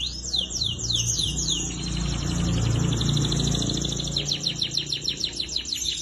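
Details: Song of young canaries kept for tutoring: a few quick descending notes, then a long dense buzzy trill with rapid pulsed notes at the end, low hum underneath.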